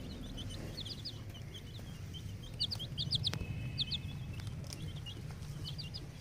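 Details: A brood of ten-day-old naked neck chicks on a poultry farm peeps in quick high bursts of two or three sharply rising-and-falling notes, scattered irregularly over a constant low machine hum.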